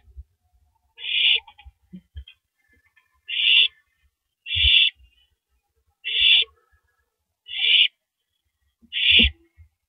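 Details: Six short, noisy screeching hisses come roughly every 1.2 seconds from a female owl eating a large rabbit in the early hours, 3:33 AM, April 9, 2012, with scattered knocks and scraping.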